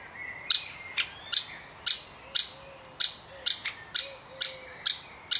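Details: Baby woodpecker from a wild family, being fed by a parent: sharp, high, scratchy chirps repeated about twice a second, eleven in total, with faint thin whistles from other birds in the background.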